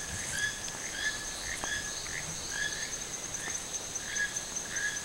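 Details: Wild toucan at Sueno Esmeralda giving a rhythmic run of brief, hoarse croaking notes with overtones, roughly two per second, against a constant high-pitched insect drone.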